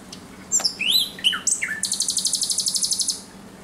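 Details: Thrush nightingale at night, 17 May 2023: a few rising and falling whistles, then a long, very fast, steady trill of about twenty high pulsed notes.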